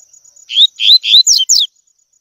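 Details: Double-collared seedeater giving its tui tui song for training young birds: a short phrase of three rising whistled notes and two sharp falling slurs, loud and clear over a faint high background tone.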